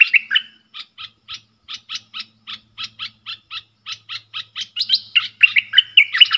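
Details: A caged bulbul answers wild birds in a singing contest, dated 3 October 2021: opening warble, then a steady train of crisp repeated notes building into loud rolling, slurred phrases.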